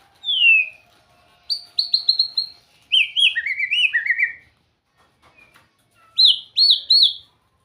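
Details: Melodious white-rumped shama song made of clear whistled phrases: a falling slur, a run of repeated high notes, a cascade of descending slurs, and three upswept whistles.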